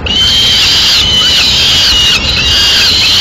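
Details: Madrid peregrine falcons, the male having brought a swift to feed the chicks: sustained, strident wailing, long strained notes almost without break, over constant noise.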